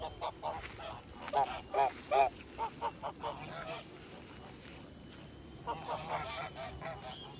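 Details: Kholmogory gander, white, hatched 2017 on a farm for purebred breeds, filmed 7 September 2019, giving a series of short nasal honks about twice a second, fading into quiet, then another softer run of honks.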